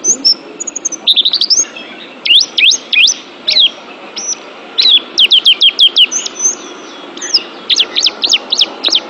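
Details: Oriental white-eye song for training pet birds: thin, high whistles and quick trills, with fast clusters of steeply sweeping notes repeated in short, energetic runs.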